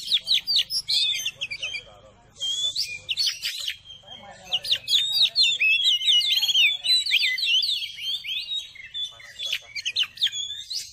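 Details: Oriental magpie-robin song used as therapy to quickly raise a caged bird's excitement, get it singing and spreading its tail; loud varied whistled phrases, trills and chattering notes in rapid succession, with brief pauses between bursts.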